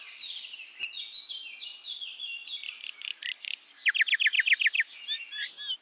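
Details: Common myna giving a varied string of gurgling, whistled phrases that build into bursts of sharp, rapid repeated notes, followed by a few harsher harmonic notes at the end. The background is quiet.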